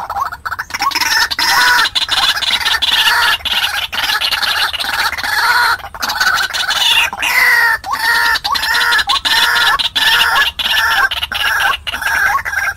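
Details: White-breasted waterhen decoy sound for trapping: a long run of harsh, rhythmic croaks, roughly ninety-four a minute, loud and insistent, with occasional rising notes throughout.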